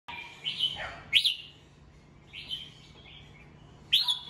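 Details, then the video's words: Red-whiskered bulbul, a kept songbird, singing in the morning to train other birds: short bright whistled phrases, warbling and slurred, given in bursts with pauses of about a second between them, over faint low hum. "Chào mào hót sáng, luyện giọng chào mào"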